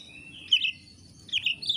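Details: Oriental magpie-robin (kacer) from Indonesia, recorded as training material for songbird keepers: two or three bright, slurred chirping phrases, high-pitched and brief, separated by short pauses over a faint low background hum.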